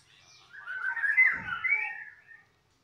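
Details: White-rumped shama (murai batu), a 'balak 6' bird and former contest champion, giving a short, rich warbled phrase of whistled notes that rises and falls over about two seconds, then stops in a quiet room.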